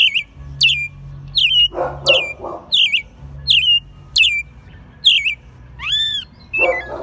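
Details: Hand-raised caged American robin in Mexico City, March 2020, singing in spring; clear whistled phrases, each a falling or rising slur, repeated roughly every second, with a few softer lower rustling sounds in between.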